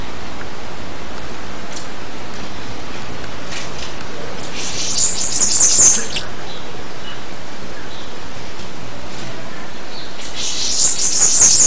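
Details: Two separate bursts of bananaquit song, each a brief, very high, squeaky buzzing jumble, several seconds apart with quiet between.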